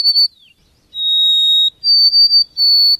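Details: White-throated Sparrow in a backyard in Quebec during lockdown sings pure, sustained whistles, the first sliding down, then a steady note and broken repeated notes on a slightly higher pitch, with no other sounds.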